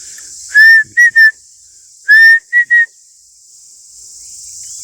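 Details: Common hawk-cuckoo (pawsha) giving two loud three-note whistled phrases, a longer slurred note then two short clipped ones, over steady high insect hiss, at a Konkan village in the morning; locals hear "perte vha", a sowing call heralding rain.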